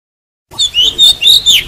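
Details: Brief burst of oriental magpie-robin decoy song for luring birds and stimulating song: five loud, sweet whistled notes with warbling slurs, evenly spaced, starting after a short silence.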